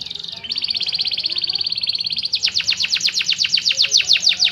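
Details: Singing canary, described as 'gacor': a fine, even rattling trill holds steady for two seconds, then shifts into a slower series of loud, sharp descending notes, about four per second.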